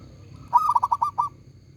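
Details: Zebra dove of a local strain, loud and full-voiced, delivering one rapid phrase of about seven rolling, pulsed coo notes lasting under a second, with a low background hum.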